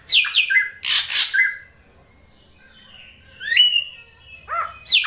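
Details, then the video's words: Lure call of a female drongo meant to draw in the male: harsh rasping bursts and downslurred whistles, a pause, then a rising whistle and a final scratchy note. "SUARA BURUNG SRIGUNTING BETINA UNTUK MEMANCING SI JANTAN AGAR CEPAT GACOR"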